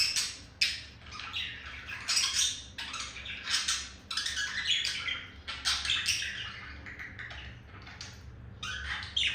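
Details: Pet male budgie singing to attract a female: softer, scratchy warbling chatter of clicks and squeaks in quick bursts, fading slightly toward the end.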